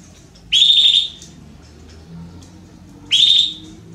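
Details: Female Belgian canary asking to mate, two loud, clear chirps about two and a half seconds apart, each sliding up into a sustained high whistle-like tone.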